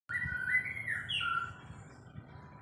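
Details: White-rumped shama singing while being sunned; a brief phrase of clear whistled notes sliding up and down, then fading, over a low rumbling background.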